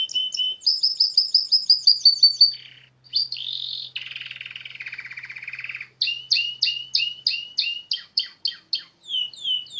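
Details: Canary singing in natural surroundings: a long run of quick repeated chirps, a slurred whistle, a harsh buzzy section, then a series of sharp down-slurred notes repeated about every half second.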